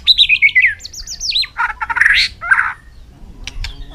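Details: Contest-singing white-rumped shama in afternoon sun, delivering fast falling whistled trills, then harsher buzzy rasping notes, followed by scattered sharp clicks.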